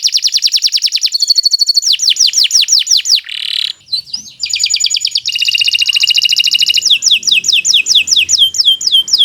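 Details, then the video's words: Tutor recording of a Kenari Nusantara canary singing long and without pause. Rapid trills alternate with falling whistled notes and a harsh buzz, with a dense rattling passage before a closing run of swooping notes. "Kicau Burung Kenari 173 II LUAR BIASA GACOR PANJANG"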